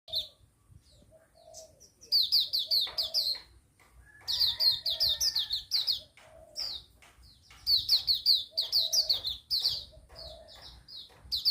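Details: Hume's white-eye singing in the wild in the morning: rapid bursts of high, thin, twittering notes, chattered fast in runs of a second or two with short pauses, over lower soft calls from other birds.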